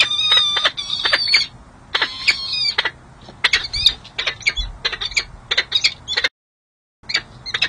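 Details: Peregrine falcons Hartley (female) and Monty at the San Jose City Hall nest, 13 January 2024, courting as she flirts. They trade harsh, high, ringing calls in quick chittering bursts with a few longer wailing notes. Brief dropout near the end.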